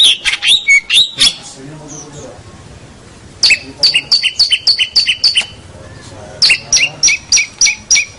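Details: Local champion long-tailed shrike singing a tutor song. Bursts of quick, high, clipped chirps repeat in tight series, separated by quieter gaps with faint murmuring.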